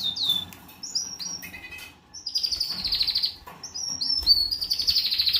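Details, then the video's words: Canary giving short falling chirps, then long buzzy trills sliding down in pitch, twice, over a soft background. "Canary mating or fighting?"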